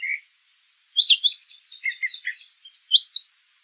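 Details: Wild brown thrasher in song: a short opening note, a brief silence, then a jumbled run of bright, slurred phrases rising and falling, over faint background hiss.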